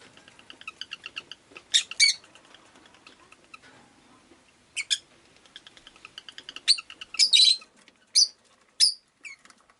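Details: Rosy-faced lovebird (Agapornis roseicollis) chattering with soft, rapid ticking chirps broken by loud, shrill screeches, some doubled, spread across the stretch.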